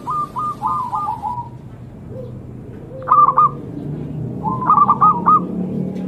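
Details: Zebra dove, called a sacred bird, singing fast rippling strings of clipped coo notes, then two louder stuttered phrases of bright, evenly pitched coos against a steady low rumble.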